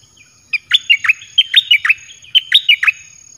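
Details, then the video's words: Song of a caged red-whiskered bulbul used as a lure for wild birds: two rapid bubbling phrases of clear whistled notes, each slurring down then up, roughly one note every fifth of a second. "เสียงนกกรงดอกแตงEp.22Birds sounds เปิดดอกเพลงหลากหลาย นกป่าเข้าเร็ว เพลงเพราะน่าฟัง"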